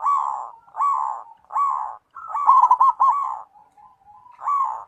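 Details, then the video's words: Local zebra dove song of repeated short mellow coos, one longer phrase rippling with rapid trilled notes in the middle, a faint high whistle audible between phrases. "suara perkutut lokal"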